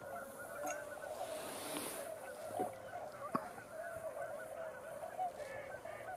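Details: Snow geese dropping in at night on November 24 as a flock arrives, after eagles had kept other birds quiet; a dense, steady chorus of overlapping nasal honks runs throughout, with a few sharper louder calls standing out.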